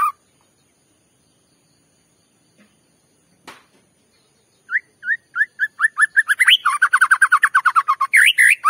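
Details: A white-rumped shama sings a bait song meant to agitate another shama into singing. After several seconds of near silence, short rising whistled notes begin and repeat faster and faster, building into a dense, loud run of upslurred notes.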